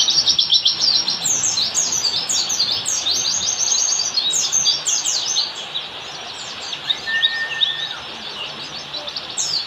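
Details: Oriental white-eye singing in wild-style ngalas fashion, used as a master recording to train caged birds: dense, rapid, high-pitched twittering chirps tumbling over each other, a thin steady whistle near the end, volume easing after the midpoint.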